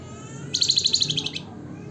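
A Javan fulvetta gives a quick, high trill of about a dozen sharp, even notes in under a second, ending on a lower rising note, over faint background hum.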